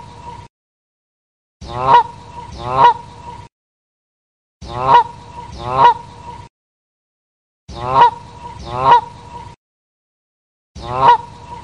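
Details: Canada geese honking in loud, brassy doubled notes, the pairs returning about every three seconds between abrupt silences, with a constant high tone behind them.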